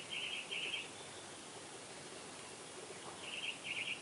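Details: Newly hatched purple martin nestlings on day one in Spring Branch, Texas, begging for food: faint, high, thin peeps in two brief clusters, at the start and near the end, over a steady background hiss.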